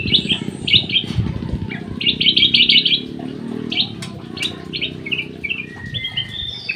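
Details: Aviary-kept golden bulbul in lively song, quick strings of bright chirping notes delivered about three per second in bursts, with a low background rumble throughout.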